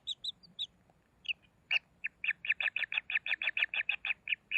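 Kingfisher chicks: a few scattered high chirps, then a fast run of sharp, shrill notes, about four or five each second.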